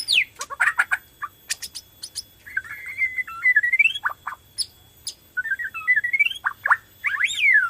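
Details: White-rumped shama of the Borneo type sings vigorously to provoke other shamas into song: a varied run of sliding, warbled whistles that rise and fall, mixed with sharp ticks and short high notes.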